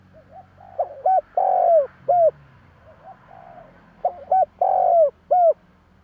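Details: Cooing Spotted Dove, a lure recording to prompt other doves to coo back: two bursts of soft, rising-and-falling coo phrases, each building to a loud, long, slurred coo then a short final note.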